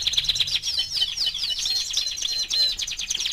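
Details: Continuous dense warbling from a canary aged four months: fast rolling trills and twittering notes, loud and unbroken throughout.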